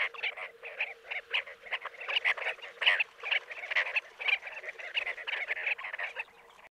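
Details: Sustained chorus of chestnut-bellied sandgrouse at Jeddah, Saudi Arabia: bubbling, croaking notes tumble over one another for several seconds, rising to a louder peak midway, then thinning out near the end.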